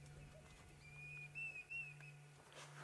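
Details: A Diederik cuckoo, flying overhead under cloud cover on a sunset drive on 2 November 2016, gives a short run of three high, rising whistled notes, thin and quick, over a steady low engine hum.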